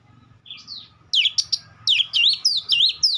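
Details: A single rising whistle, then a quickening series of bright, looping notes that dip and rise again; an Oriental magpie-robin in full song over a soft low murmur.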